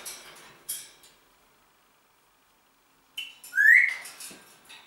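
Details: Indoor pet Congo grey parrot: faint rustles and clicks, a pause, then a short buzzy note followed by a loud rising whistle.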